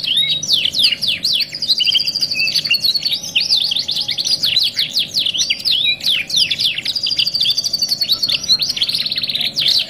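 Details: Canary singing a "2 in 1" masteran training song, a continuous stream of rapid high chirps, downward sweeps and buzzy rolls with barely a pause across the whole stretch, over a faint steady hum.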